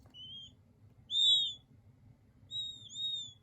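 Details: King quail chicks peeping: three high, thin whistled notes about a second apart, the middle one loudest, each slightly falling at the end, over a faint low hum.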